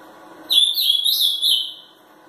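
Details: A three-year-old ultramarine grosbeak in Brazil gives one short, rich warbled phrase of high, slurred whistles lasting just over a second, in a quiet indoor space.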